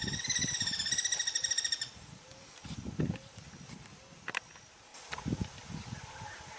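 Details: Guira Cuckoo calling with a rapid, rattling string of harsh pulsed notes that lasts just under two seconds, then stops. Scattered clicks and low rustling noise follow.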